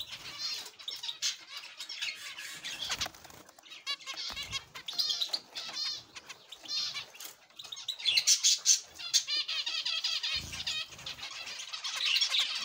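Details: Zebra finches in an aviary, a busy flock giving short, nasal, harmonic-rich calls in overlapping bursts, with frequent soft wing flutters and brief quiet gaps between clusters of calling.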